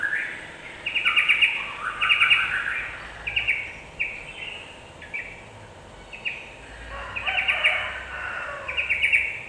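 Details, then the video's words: Yellow-vented bulbul song meant to provoke other birds into quick agitation: liquid, chattering phrases repeat in clusters, bright and warbling, with a constant hissing background. "Suara pancingan burung trucukan agar cepat emosi"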